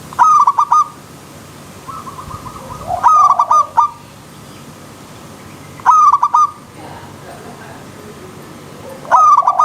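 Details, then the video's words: Wild zebra dove giving four loud stuttering bursts of ringing notes about three seconds apart, linked by softer quick trilled notes and faint low coos. "Terapi Perkutut Alam Liar"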